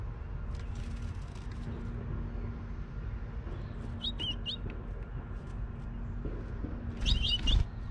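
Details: House finch at a backyard nest platform under house gutters, where a pair is building a nest, giving two short bursts of bright, high cheeping chirps a few seconds apart over a steady low rumble and hum.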